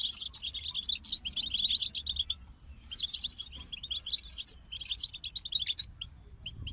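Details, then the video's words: European goldfinches in a group give bursts of rapid, liquid twittering and tinkling notes, broken by short pauses, with sparse single chirps between the fuller phrases. "King of Songbirds Goldfinch Group"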